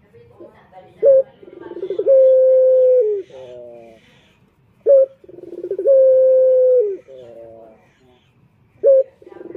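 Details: Calling male puter turtle dove used to lure males, repeating a sequence twice: a sharp short note, a rolling stutter, a long level coo, then a lower falling purr.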